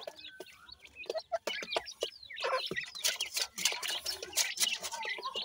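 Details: Several francolin chicks chirping while being fed: dense, sharp, high peeps that tumble over one another with no steady rhythm, growing louder and busier in the second half.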